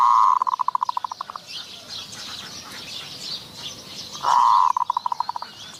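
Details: Zebra dove used as a decoy to lure wild doves at Wapi district, Maha Sarakham, Thailand: two bursts of rapid staccato coos, one at the start and one about four seconds later, each slowing and fading, over a high steady insect hum.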